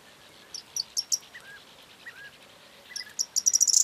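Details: Corn bunting song recorded on 4 June 2022: two bursts of dry, high ticking notes that quicken into short rattles, the second building toward a jangle as the clip ends; faint lower chirps from other birds in between.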